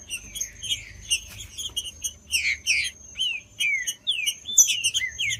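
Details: A green-winged saltator sings to stimulate a cold bird: a series of wavering, slurred whistled notes, some rising then dropping, set against busy short chirps and a faint steady high whine.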